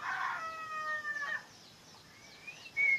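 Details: Songbird singing a sequence of clear, level whistled notes with bright overtones, followed after a pause by a rising whistle and a short sharp note.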